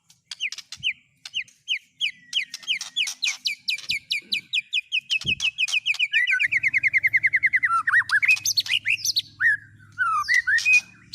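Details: White-rumped shama with mimicked fills of cililin, canary and lovebird: spaced sharp upslurred notes quicken into a long fast rattle of repeated notes, dropping into buzzy twisting slurs, with a low hum joining midway.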